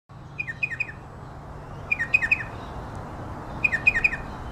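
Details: Striated pardalote of the race melanocephalus giving its distinctive "cheep cheep cheep": three sharp high notes, each dropping in pitch, in three bursts about every 1.7 seconds over a low background rumble.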